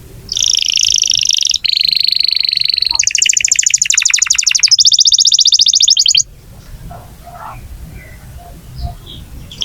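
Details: Vigorously singing canary, played to coax young or silent canaries into song: a sequence of buzzy trilled rolls shifting in pitch and speed for six seconds, followed by quiet with faint distant chirps and low background rumble.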